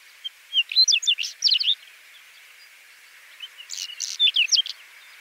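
Whinchat song in two short bursts of quick, scratchy, varied notes mixed with thin whistles, separated by a pause, over a steady high background hiss.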